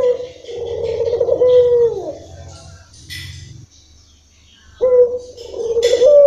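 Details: Local Barbary dove giving its long-rhythm song: a low, throaty coo drawn out for over two seconds and then tapering, a pause of quiet, then another coo rising in, with faint clicks and rustles.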